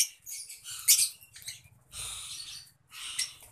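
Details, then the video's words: Lovebirds in a colony, producing shrill, high squeaky chattering in short noisy bursts, three clusters of scratchy twitters separated by brief pauses. "لو برڈز کالونی"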